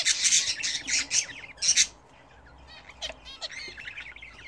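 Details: Bathing home-bred budgerigars: a loud burst of harsh squawking chatter for about two seconds, then quieter, scattered chirps and soft warbles.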